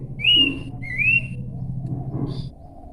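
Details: Two drawn-out, clear whistles from a Horsfield's babbler, each rising slightly, followed by a faint short note over steady low background noise.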